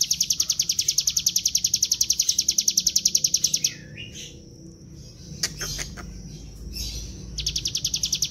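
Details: A lively Bar-winged prinia gives a fast, high, drilling trill of rapid repeated notes, about three a second, pauses for a few seconds of scattered chirps and whistles, then resumes; recording used as a lure.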